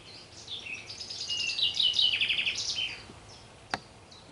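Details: Common chaffinch (Fringilla coelebs) singing in a garden in the afternoon: a bright, accelerating trill of sweet notes that descends and ends in a quick flourish, about two and a half seconds, followed by a single click.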